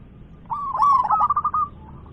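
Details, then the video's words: A single phrase from a loud local zebra dove: a quick rising note followed by a fast, bubbling series of clipped coos at one pitch, fading out at the end. "PERKUTUT LOKAL GACOR suara besar"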